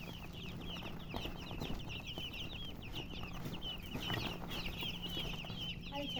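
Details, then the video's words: A group of colored chickens peeping together, a dense stream of high, descending chirps that overlap almost continuously. Low hum and rustling in the background. "silly chicken chirping sounds with murgi hen color chicken"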